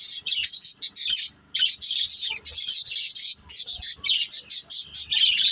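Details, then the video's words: Budgerigars kept as a family flock chatter continuously while playing, a bright, hissy, twittering jumble of rapid notes in long runs with a handful of short silences between them. "Beautiful Budgies Chirping Sounds"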